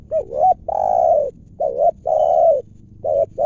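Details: Wild spotted dove calling at its home area during a trapping session with a decoy; deep, clear voice. Mellow low coos in paired phrases, a short note followed by a long drawn-out one, three phrases over a low background hum.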